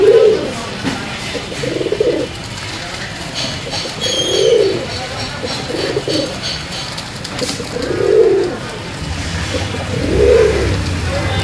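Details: Pigeons fed corn-free grain mix of wheat, rice and mustard in the morning, Bangladesh: deep soft coos in rounded bursts repeated roughly every two seconds, with a steady room hum and faint background noise.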